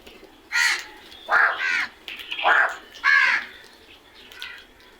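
A crow gives about five harsh, hoarse caws at an uneven pace, some doubled and the last one fainter, over quiet background.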